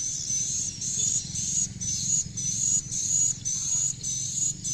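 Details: Swiftlet calls played in a swiftlet-farming setting: a steady, high, thin twittering tone pulsing in regular bursts about twice a second, broken by brief gaps, with a low background hum.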